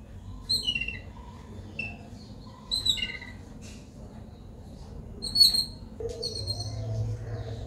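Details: Yellow-billed babblers in Sri Lanka give harsh, squeaky chattering notes in short bursts, several birds overlapping, with a steady low background hum.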